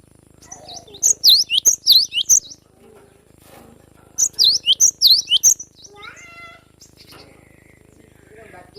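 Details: Wild young cinereous tit of the forest in full besetan song: two bursts of fast, high, piercing repeated phrases separated by a brief gap, followed by a softer descending harmonic squeak and faint background chatter.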